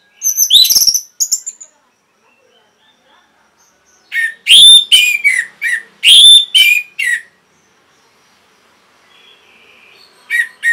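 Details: Orange-headed thrush in full song, played to prompt caged birds to sing: short bursts of loud whistled and trilled notes, several sharp phrases close together midway, separated by silences, with a brief soft note near the end.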